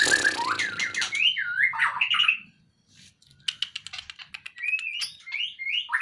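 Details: Caged white-rumped shama, being taken out of its cage to lose fat, sings varied rich whistled phrases with slurred rising and falling notes. A brief silent pause is followed by sharp clicking notes and more whistles over a low background hum.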